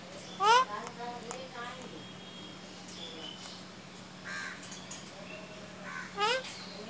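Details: A pet rose-ringed parakeet, coaxed by its owner to talk, gives two loud, harsh, rising speech-like squawks about six seconds apart, with softer chatter between and a steady low hum behind.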